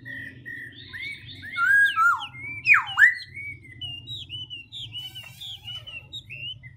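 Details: Black-throated laughingthrush singing and continuously changing its voice: varied whistled phrases around the upper-middle range, a loud swooping dip-and-rise pair of notes in the middle, then shorter chirped notes, over a low steady hum.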